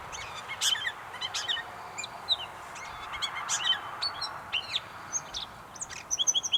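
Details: Gray catbird recorded at North Tetagouche, New Brunswick: scattered sharp chirps and thin whistled slurs, sparser at first, ending in a quick series of repeated bright notes, against soft background hiss.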